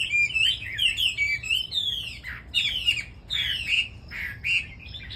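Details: Red-whiskered bulbul song among a group of birds: bright, squawky, warbled phrases sliding up and down, each about half a second long, given in quick bursts separated by short pauses, with no other clear sounds.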